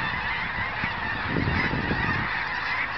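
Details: Geese in mass winter migration, recorded 14 January 2011 near Crestline, Kansas, at an old cemetery; countless honking voices blend into a constant clamour, with a few clearer honks rising out of the din and soft wind thumps below.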